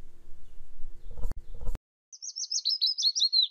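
A willow warbler sings a sweet, high phrase of quick notes that cascades gently downward over about a second and a half, after a stretch of low rumble and a voice.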